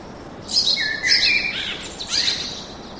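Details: Birdsong in a forest: bright chirped phrases in three bursts, high sweeping notes with a lower whistled trill between, against quiet background hiss.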